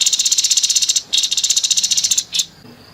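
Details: Grey-headed babbler in harsh 'nembak kasar' song, used as tutor material for contest birds: two back-to-back rapid buzzy rattles of evenly spaced pulses, then a single short burst before falling quiet.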